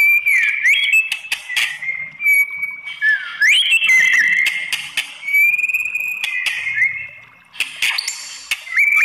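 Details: White-rumped shama in sustained provoking song to draw replies from other shamas: clear whistled tones, twisting slurs and clicks, loud almost throughout with one short dip near the end.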